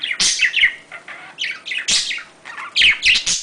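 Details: Short spell of budgerigar mating chatter, loud grating chirps and quick warbled notes in clustered bursts with brief softer gaps.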